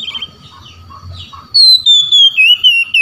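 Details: Oriental magpie-robin singing in full 'ngeplong' style to call rivals, with other magpie-robins answering. Soft, scattered notes give way after a pause to loud, clear whistled phrases, gliding downward and repeated rapidly. A steady faint hum runs underneath.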